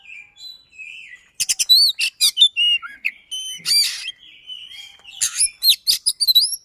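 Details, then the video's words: Caged white-rumped shama, a songbird noted for fast, dense phrasing and rolling bursts, gives rising and falling whistles mixed with clustered sharp chips, starting softly, then loud and rapid. "Kacer SISINGA, Speed Rapat Durasi Dapat | Roll Tembak dan Ngotot"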